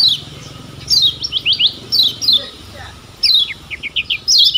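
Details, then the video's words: Lemon-bellied white-eye from Lombok, Indonesia, on a recording played to make birds sing; short series of bright downslurred chirps, several in quick succession, then a pause before the next series. "Ciak Joss Kecial Kuning Ini Ampuh Jadi Masteran Bikin Cepat GACOR‼️"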